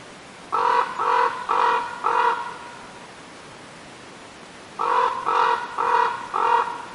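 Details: Raven calling in two bursts of four hoarse, evenly spaced croaking notes, a few seconds of silence separating the groups, over a light hiss.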